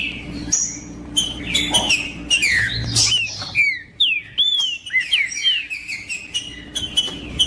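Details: Trinca-ferro (green-winged saltator) singing in macheando style to warm up other birds. Busy stretch of chirps and clicks gives way to a series of clear looping whistles, with a faint low hum throughout.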